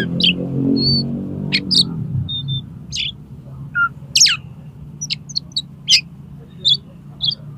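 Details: Oriental magpie-robin singing a mixed repertoire of imitations as it dares a rival to fight, tail spread: scattered sharp high chirps, short whistles and one lower fluted note, with a low rumbling drone at the start.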